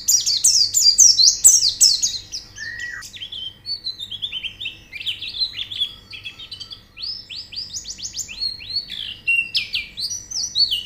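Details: Training recording for white-eyes, meant to make a bird open its beak and sing: long, fast run of thin, high chirps and slurred whistles, dense at the start, with a brief lower whistle partway through.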